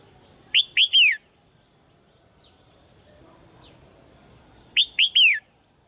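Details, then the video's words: Caged female red-whiskered bulbul calling softly to stir a male into louder song: two bursts of three clear whistled notes, the last one longer and sliding down, about four seconds apart over faint background hiss. "นกหัวจุก birds - นกตัวเมียร้องเบา ๆ ในกรงเรียกนกตัวผู้ให้ร้องแรงขึ้น"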